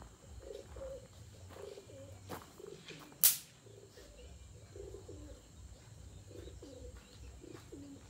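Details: Pomeranian pouter pigeons kept in a breeding cage on a fancy pigeon farm; faint low cooing phrases repeat steadily through the clip over steady background hum, with one sharp loud click midway.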